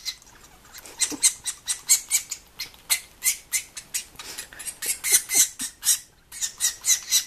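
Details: A baby sapsucker at dinner time gives harsh, hissing, buzzy begging bursts, about three a second, with a brief pause near the end.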